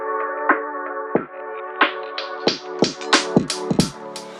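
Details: Electronic music with steady, punchy drum hits under sustained synthesized tones, and no animal sounds.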